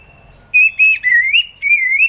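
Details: Orange-headed thrush song used to prompt reluctant thrushes to sing in the morning: long, clear wavering whistles, rising and falling gently, in three connected phrases.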